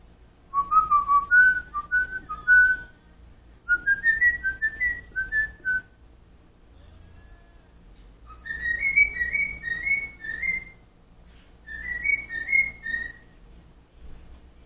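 A cockatiel whistles short tuneful phrases in bursts, with pauses between each run.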